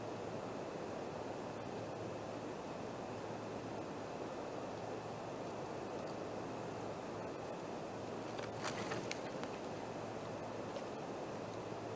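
Steady broadband hiss and rumble, like wind or distant traffic, over a low hum, with a few brief clicks near the end and no animal calls.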